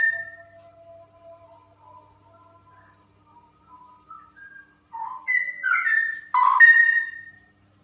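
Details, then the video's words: Female straw-headed bulbul delivering 'super ropel' song: soft, scattered whistled notes at first, then from about five seconds a loud cascade of liquid, gurgling phrases ending in a long bright whistle. "Burung Cucak Rowo Betina Super Ropel"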